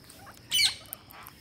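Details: Green parakeet at feeding, one loud, harsh, high squawk lasting a fraction of a second, followed by soft faint chirps against a low background hum.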